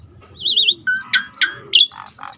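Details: Starling training recording with river ambience: a wavering high whistle, then a steady lower whistle and sharp rising chips, ending in two buzzy lower notes over faint water murmur.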